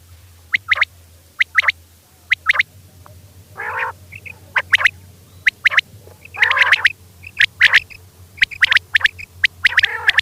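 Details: Calls of a female quail at night: sharp paired clicks mixed with nasal, buzzy, wavering notes, about once a second and irregular in spacing, over a low droning hum.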